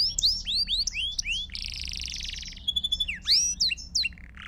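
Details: Belgian canary song played as a continuous session for training young birds: rapid rising sweeps, a sustained buzzy trill, a steady whistled note, then more quick upswept chirps, all high-pitched with faint low background hum.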